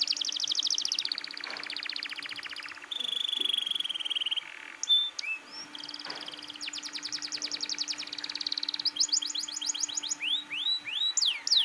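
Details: Canary singing hard and continuously, played to stir young canaries into singing along. Buzzy rolling trills give way to a held whistled tone, then fast rattling trills and arched, swooping notes toward the end. A faint low hum runs underneath.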